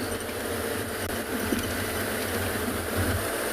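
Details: A steady mechanical hum like an idling vehicle engine, with no animal calls standing out.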